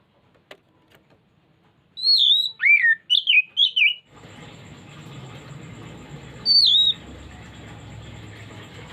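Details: Oriental magpie-robin (kacer) trigger song: a bright high whistle, a plunging slur and two short warbled notes, then steady background hiss and a steady high whine before one more falling whistle near the end.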